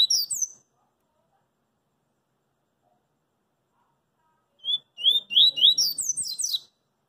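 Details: Double-collared seedeater, coringa song style, singing in the street; after a long quiet gap, a short whistle leads into rising slurred whistles and then a rapid cascade of very high chirps, with faint low street rumble.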